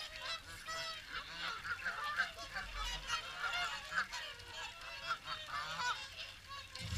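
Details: Busy, steady honking from many swans at WWT Caerlaverock's morning feed. The nasal, trumpeting calls overlap constantly with no pause.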